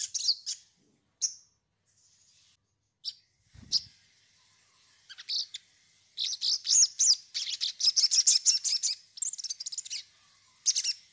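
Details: Sogon song used as a lure to make a bird start singing: scattered high chirps and brief whistles, then a long, dense stretch of fast, jumbled trilled notes, ending in a final short burst.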